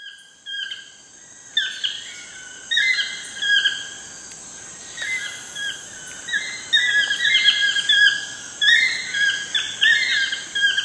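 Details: Wild toucans in Costa Rica at sunset: repeated yelping, harmonic notes with short downward slurs, coming in bursts about a second apart and sometimes overlapping, over a steady high insect hiss.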